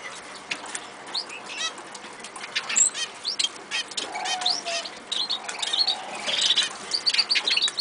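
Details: Eurasian siskins in an aviary chatter with many quick, high, overlapping chirps and short buzzy notes, and a brief lower whistled note in the middle, against steady rustling.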